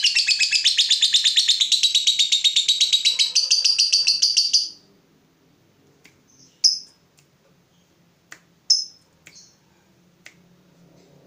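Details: Lovebird fighter worked up at the sight of a rival: nearly five seconds of loud, rapid, evenly pulsed shrill chatter, followed by quiet with a few sharp isolated squeaks.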